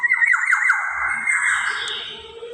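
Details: Black-naped oriole recording intended to lure other birds: a run of rapid downward-slurred nasal notes trailing into a long, rough, even-pitched squawk.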